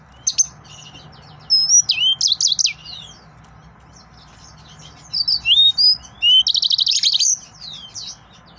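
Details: An agitated male yellow-fronted canary sings in two bursts of bright, high whistles and sweeping slurs. A rapid buzzy trill closes the second burst, with a quiet pause between phrases and a faint low hum beneath.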